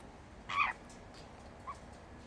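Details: A captive superb parrot among eastern rosellas and kakariki on freshly supplied larch branches gives a single harsh, grating squawk, then a faint brief note a second later against quiet background hiss.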